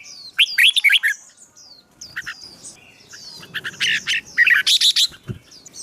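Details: Captive songbird heard during fighting-song training to excite a newly caught bird: harsh, squawky chirp clusters mixed with high whistles, a quieter middle stretch, then another loud burst.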